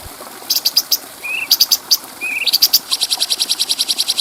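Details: Bulbul song recorded as a clear-voiced tutor track for training other birds: trains of high, buzzy, rapidly pulsed chirps broken by two short, low rising whistles, ending in a long steady series of evenly spaced ticking notes.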